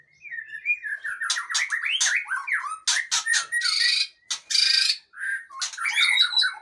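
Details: Long-tailed white-rumped shama from Aceh pouring out a lively song of quick downslurred whistles and trills, broken by several harsh rasping squawks, then more warbling phrases.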